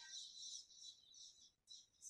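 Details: Cliff swallow colony at fledging time, played back to convey the excitement as the young fledge: dense, high twittering chatter in overlapping bursts, with a brief pause near the end, recorded indoors.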